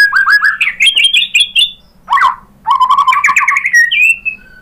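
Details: Lure song of a white-rumped shama, sung so that other birds reply: quick rising chirped notes climbing in a series, a short harsh downward note, then a lower warbling run ending in a clear high whistle.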